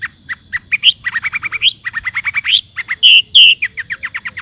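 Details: Javan long-tailed shrike in lively song with clear mimicry-style phrases: rapid repeated chirps, rising slurred whistles and a few longer shrill notes, over a constant high-pitched hum.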